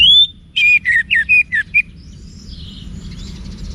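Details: Wiksar-style orange-headed thrush song for training cage birds: a high whistle, then six quick descending whistled notes, fading into faint distant chirps.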